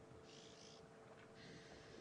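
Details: Red-billed Oxpeckers on a buffalo in Djuma Game Reserve on a windy, dry-season afternoon, 5 May 2015, alerting it to nearby people: harsh, hissing rasps in two bursts of about half a second each, over steady wind noise.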